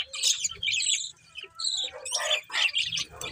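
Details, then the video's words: Pet budgies give bright, squeaky chirps and short scratchy chatter in uneven bursts, rising to a livelier cluster toward the end. "Cute Budgies Chirping Sounds"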